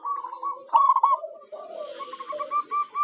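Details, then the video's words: Zebra dove used as a decoy for wild birds: purring coos and a loud bubbling trill, overlapped by lower coos and a steady rolling trill, with faint hiss. "Suara Perkutut Lokal Jagoannya Pancingan"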